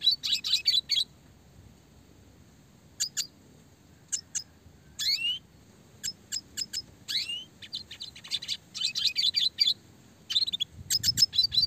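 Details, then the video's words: Red siskin (Spinus cucullatus) sings a clear, fast training song in bursts of rapid, high twittering trills with buzzy, sliding notes, separated by short pauses in otherwise quiet surroundings. "red siskin gacor suara jernih roll tembak speed rapat"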